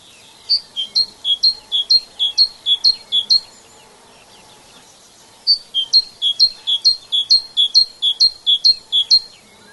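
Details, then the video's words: A UK garden great tit sings two bright bursts of its see-saw 'teacher-teacher' phrase, each about eight quick two-note repeats, high then lower, with a brief pause between. "Bird Songs of Nature The Great Tit"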